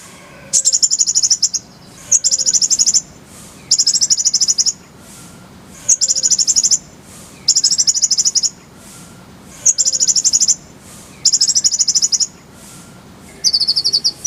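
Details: Konin, or kolibri ninja (Brown-throated sunbird), singing as a tutor recording: very high, rapid buzzy trills of about a second, repeated steadily around eight times with brief gaps, and one different chirped phrase at the end.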